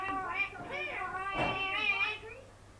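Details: Talking parrot in a small room giving a short run of speech-like, tonal, wavering syllables, voice-like and mid-pitched, rising and falling, fading out at the end.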